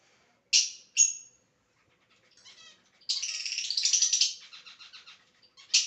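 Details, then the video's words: Pet lovebird in a playful mood: sharp high chirps, then a fast rattling burst of buzzy, repeated high notes lasting about a second, trailing into softer ticking notes, with another sharp chirp at the end. "my super cute lovebird funny mood whistling"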